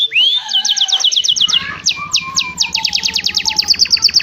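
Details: Canary delivering its song as a training recording for other canaries: a rising whistle opens into rapid repeated notes, slower sweeps and rolling trills, with a faint low hum throughout.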